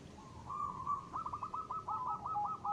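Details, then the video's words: Local zebra dove used as a lure: a drawn-out coo leading into a fast, trilling sequence of soft pulsed notes, heard against strong steady hiss. "perkutut lokal gacor.suara ngristal ampuh buat pancingan."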